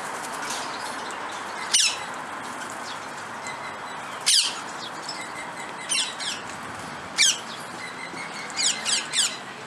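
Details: Twenty-eight parrot of the subspecies semitorquatus giving harsh, broadband squawks spaced a few seconds apart, with a quick cluster of shorter calls near the end over a soft background hiss.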